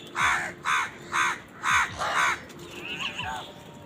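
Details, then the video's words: Crows fighting for food give an angry run of five harsh, nasal caws spaced about half a second apart, followed by fainter, thinner calls from another bird as the series fades. "Crow Crowing Sound Effect |Crow Bird Eating Scenes part 91| Sound of Angry Crows"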